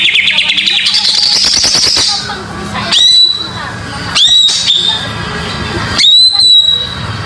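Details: Greater green leafbird song played as a lure for young birds: after a noisy opening stretch, three loud whistled notes come about every one and a half seconds, each a sharp rising note levelling off into a clear tone.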